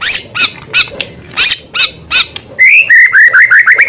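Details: Actively singing white-rumped shama with small-bird sound material: a few spaced, hoarse chirps, then a quick series of bright, clear whistled notes that rise slightly and repeat rapidly toward the end.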